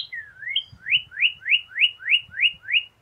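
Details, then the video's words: Northern cardinal song of seven evenly spaced, rising whistled slurs, roughly three per second, preceded by a couple of introductory sliding notes; quiet background. "BEST CARDINAL bird song chant cardinal"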